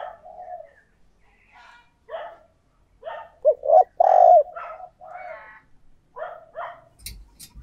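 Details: Cooing decoy spotted dove calling to attract other doves, giving quiet rolling gù notes that swell into a cluster of loud, deep hollow coos midway, then softer coos trailing off, with a faint click at the end.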